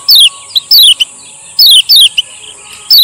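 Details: Male lemon-bellied white-eye from Lombok, used as a master and lure bird: loud, sharp descending whistled slurs given in paired bursts about every second, with short chips between. A steady high hiss runs underneath.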